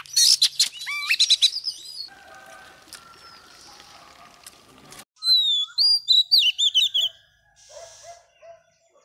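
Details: Female magpie-robin, wild-caught, singing to stimulate males: a bright burst of loud warbling and rising whistles, a lull with low background noise, then another quick whistled phrase sequence and a few soft calls.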